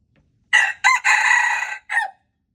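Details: Red junglefowl, a wild rooster, crowing on February 26, 2025: a short clipped note, a second burst, a long rasping held syllable and a brief falling tail, all loud against silence.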